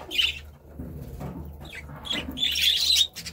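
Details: Budgerigar giving a short bright chirp, then a busy scratchy warble of chirps toward the end, over a low steady hum.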